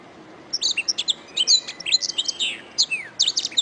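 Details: Canary singing for a tutoring recording meant to teach other birds: quick high chips and twittering notes with a few slurred downward whistles, delivered in a rapid, uneven string.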